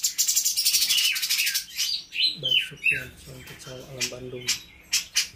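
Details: A captive cucak cungkok (spotted bulbul, "cungko trotol") sings a rapid, high chattering burst, then a string of fuller, slurred whistled notes, with a low voice murmuring behind; it is still being trained on the songs of other species such as Katem, Bren, Rambatan, Parkit and Srindit.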